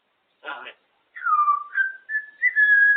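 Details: Pet female African grey parrot perched on top of her cage, making her noises and talking: a short rough burst, then a long whistled line that dips, rises and levels off in steady sustained tones.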